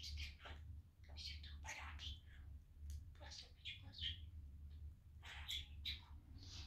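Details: Playful male budgie on a sunny day at home, talking to cheer everyone up; continuous fast babble of buzzy, speech-like syllables and high chirps over a low room hum.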